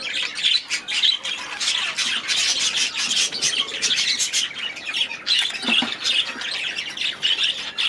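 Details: Group of aviary budgerigars giving loud, grating squawks and fast twittering chirps in overlapping bursts, with a short low thump midway.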